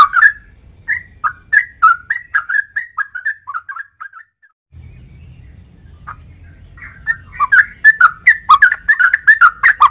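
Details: Trucuk (sooty-headed bulbul) delivers a chattering run of fluty notes that fades off, falls silent for a couple of seconds, then resumes with a faster, denser burst of warbled whistles amid a low rumble.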